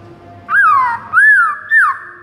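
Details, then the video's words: White-rumped shama song in the morning, used as a training recording for caged birds: three loud, clear whistled notes, each arching up and then sliding down, spaced about half a second apart over a faint low hum. "PAGI HARI , 98% Murai bakal ikutan GACOR plus NARUNG seketika dengar MASTERAN ini"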